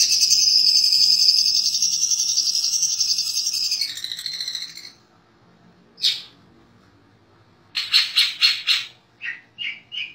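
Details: Long-tailed shrike master song with mimicry of sparrow, canary, lovebird, kapas tembak and cililin: a loud, high buzzy trill for four seconds that drops in pitch and fades, then short separate chips and a burst of sharp repeated notes.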